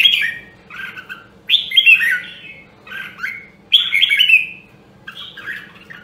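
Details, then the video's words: Rare Nam Đông Huế red-whiskered bulbul singing for voice training: five loud, descending whistled phrases roughly every second and a half, each slurring downward with squeaky overtones, separated by quieter gaps. "Luyện giọng Chào Mào Nam Đông Huế Hàng Hiếm Còn Sót Lại ! giọng cực chất"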